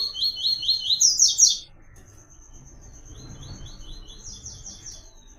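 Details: Double-collared seedeater (papa-capim, coleiro) singing the 'Tui Tui' song pattern used to train captive birds: a loud rapid run of high buzzy slurred notes for about 1.5 seconds, then a fainter repeat of the same trilled phrase over quiet background hiss.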